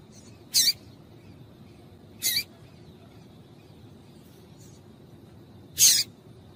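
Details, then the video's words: Female yellow-bellied seedeater chips, used to stir males into song: three brief, sharp notes spaced irregularly across several seconds, with faint softer ticks in between, over a low steady noise floor. "Piado de Fêmea de Papa capim Para Esquentar Papa capim"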